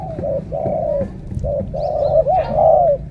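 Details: Spotted dove from Cà Mau, Vietnam, praised for a powerful voice, giving a series of low, hollow coos, each held briefly then broken by short gaps, the last notes slightly wavering, with faint low background rumble.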